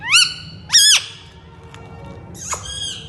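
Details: Pet Indian ringneck parakeet giving two loud, flat, harsh squawks half a second apart, then a pause and another squawk burst.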